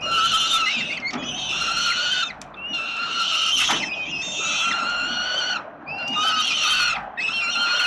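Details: Father peregrine falcon feeding his hungry chicks at the 367 Collins nest, Melbourne, Australia, late October 2021; steady harmonic screaming in long bouts of roughly one to two seconds, with brief breaks between.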